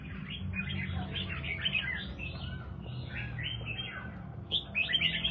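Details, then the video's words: Red-whiskered bulbul of the 'Do Thái' line sings quieter, clear twittering phrases of fast chirped notes, ending in a louder burst, with faint low background hum. "chào mào Do Thái"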